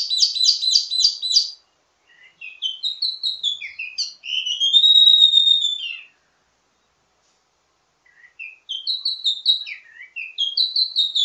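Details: Ledekan (teasing) song of a wambi mini, varied and used to master other birds of the same kind. Rapid stuttering trills lead into rising notes and a long sustained whistle, then silence and more quick phrases.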